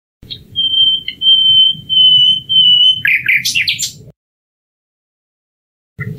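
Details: Common nightingale gives a long, pure, steady whistle held for about two seconds, broken by brief gaps, then a tumble of jumbled rising and falling notes before a pause.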